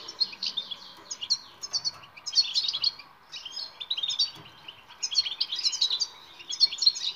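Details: European goldfinch singing batbata, a twittering song used to coax silent goldfinches into song: loud bursts of rapid, tinkling twitter about every second, mixing sharp chips with short buzzy notes.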